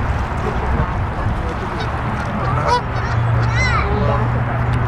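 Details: Geese calling, a few nasal, harmonic honks bending up and down near the middle of the clip, partly buried in a dense background murmur and a steady low hum.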